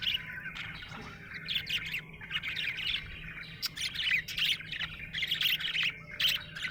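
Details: Cheerful budgie chattering in dense, scratchy, squawky warbles with rapid clicks and bright chirps packed closely together over a faint hum.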